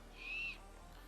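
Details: A great horned owl screeches near a beaver dam with low water: one thin, high screech held level for about a third of a second, over faint background hiss.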